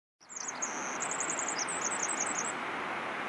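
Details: A Pacific Wren on Vancouver Island sings a rapid, very high tinkling run of notes lasting about two seconds, over a steady rushing sound like a stream.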